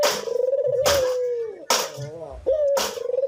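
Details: Cinnamon-headed green pigeon whistling in full voice, with a tremulous note falling slowly, then softer wavering phrases and a renewed trilled whistle, broken by abrupt loud clicks.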